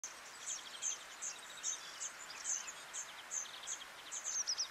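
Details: A European serin in Quiberon, France, in April 2023 sings a very high, fast jingle of thin, sizzling notes, several per second, ending in a quicker burst, over faint background hiss.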